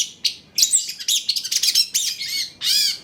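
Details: Long-tailed shrike song meant to lure other shrikes into singing, a fast string of harsh chattering notes and rasping bursts, ending in a long arched screechy note.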